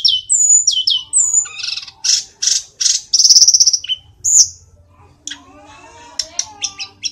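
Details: Tledekan gunung (sulingan) from Kokap, Kulon Progo, Yogyakarta, a small bird able to mimic varied songs, singing lively: sharp high whistled slurs, a run of dense buzzy bursts, a quiet pause, then soft warbles and thin clicking notes.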